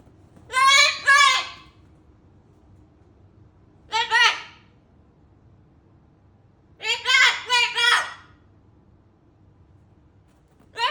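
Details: A rescued pet cockatoo freaking out gives loud, harsh, voice-like screeches, often in doubled bursts, every three seconds or so, with quiet room noise between.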